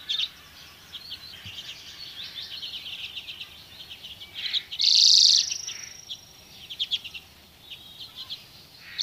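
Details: A flock of dozens of common redpolls foraging on alder cones in Haren in 2024 keeps up a steady chatter of quick, dry twittering chips, with one louder close call and a drawn-out thin whistle midway.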